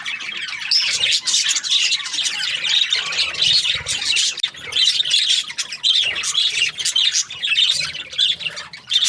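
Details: Budgies chirping: a dense, unbroken stream of high-pitched twittering, chattering and short squawks from several birds at once, overlapping throughout with no clear pauses.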